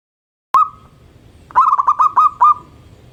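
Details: Local zebra dove singing eagerly in the morning, a song said to set other birds calling: a single mellow coo near one pitch, then a quick run of six stuttered, bubbling cooing notes over a quiet background.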